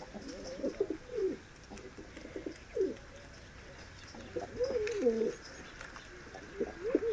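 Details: Cooing from medium-sized diving tumbler pigeons: bursts of gurgling, up-and-down mid-pitched notes about every second or two, against a constant faint hiss.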